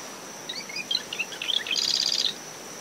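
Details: Marsh wren early-morning song from dune shrubs around a nest, recorder ten metres from the high tide line after Tropical Depression Claudette: scratchy, gurgling introductory notes, then a rapid buzzy rattle of about half a second, over wind, waves and a cricket.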